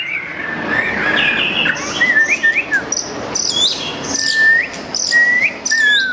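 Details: Long-tailed white-rumped shama in lively song: clear whistled notes that rise and bend around the middle register, high looping phrases above them, over a steady hiss of background noise that sounds like insects.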